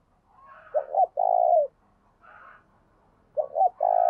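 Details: Spotted dove used as a decoy, calling in lively 'gáy sung' style under kích bổi training: a clipped double note and then a long deep coo, a second phrase starting at the end. Soft higher rasping notes sound in between.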